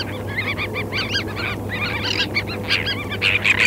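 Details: Terns calling on a sandspit at Murrell's Inlet, South Carolina, on 8 April 2017, recorded with a parabolic microphone: a dense overlapping chorus of harsh, arched, grating notes that grows louder toward the end, over a steady low hum.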